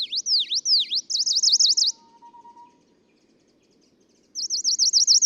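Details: Singing male Tokara leaf warbler on Nakanoshima, Tokara Islands, Kagoshima, Japan, recorded 11 June 2017: three deep V-shaped sweeping notes, then a rapid run of high zigzag notes, a pause with a faint low hum, and another fast zigzag phrase.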